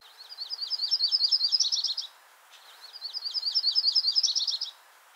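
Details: Spring song of a Yellow-rumped Warbler from central and eastern US backyards: a two-part trill of high, sweet notes, about two seconds each, quickening and shifting pitch toward the end.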